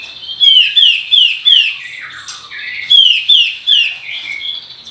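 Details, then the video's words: Singing kapas tembak bulbul, a master recording for provoking birds: two clear runs of three or four loud, falling whistled notes, each run trailing into lower warbles, on a quiet background. "MASTERAN BREN KAPAS TEMBAK GACOR ROLL TEMBAKAN‼️ PANCINGAN BURUNG KATEM EMOSI"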